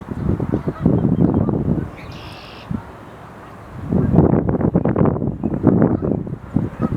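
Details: Excited sandhill cranes on a mid-March morning at the start of spring migration in New York's Finger Lakes: rolling, rattling bugles in two bursts, several birds calling over one another, with a short gap between.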